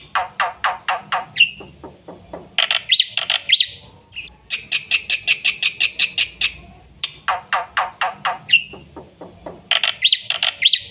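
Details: Black-winged myna delivering fast, energetic full song to train young birds: repeated bursts of quick harsh clipped notes, each ending in a whistled squeal, between dense runs of rapid grating rasps.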